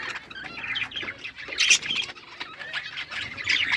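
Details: Pet budgerigars chirping: quick, buzzy warbled notes and sharp squawks overlapping continuously, with a louder burst about halfway through.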